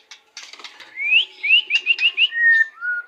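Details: White-rumped shama song: clear whistled phrase of short rising slurred notes repeated quickly, then two longer level whistles stepping downward, preceded by a brief rough rustle.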